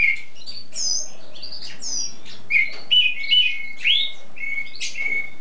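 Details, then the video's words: A bird kept as a song tutor, singing nonstop for hours in spring: sharp high downswept whistles, then a run of separate clear notes and rising slurs, about two or three phrases each second. "primavera cantando por horas sin parar!"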